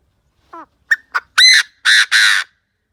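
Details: A Chinese francolin kept as a decoy calls to attract wild birds. Its phrase runs from a low falling note through two brief sharp notes into three loud, harsh, grating bursts within about two seconds.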